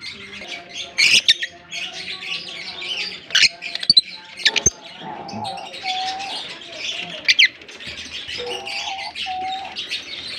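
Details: African lovebirds in a colony, many birds calling together: dense shrill chirps and squeaky twitters, with sharp screech bursts now and then and steady low tonal hums beneath.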